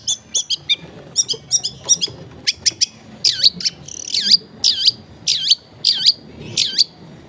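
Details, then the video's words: Long-tailed shrike giving a clear 'gacor' song rich in mimicry, played to provoke rival shrikes: quick clicking note pairs, then a string of looping downslurred whistles repeated about every half second. "CENDET GACOR FULL ISIAN MEWAH SUARA JERNIH MUDAH DITIRU CENDET APAPUN"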